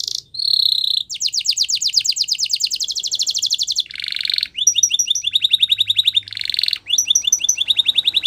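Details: Canary song for training, packed with fast rolling trills, a buzzy burst and bouncy repeated chirps, phrases changing every one to two seconds.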